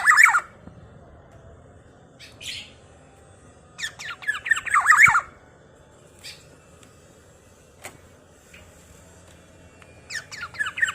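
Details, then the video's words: Black-naped oriole calling again and again, a sound said to provoke other orioles: repeated bursts of raspy, quavering squawks spaced a few seconds apart, with scattered clicks and a steady low hum between them. "Kepodang emas gacor|SuaraNya bikin emosi burung kepodang lainNya.."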